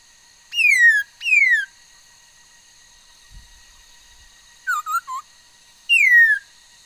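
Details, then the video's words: Female laughingthrush singing, 13 August 2021, a bird said to make many kinds of sounds: two clear descending whistles, a quiet gap with a faint thump, three short notes, then another long falling whistle. "noog sab hwj txawj quaj tau ntau yam suab khúớ mầi hót"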